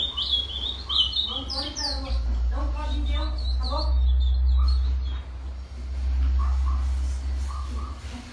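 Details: Ultramarine grosbeak (Cyanoloxia brissonii), a colour mutation, singing a quick run of high, sweet whistled notes, then lower scattered phrases, over a steady low hum and possible voices.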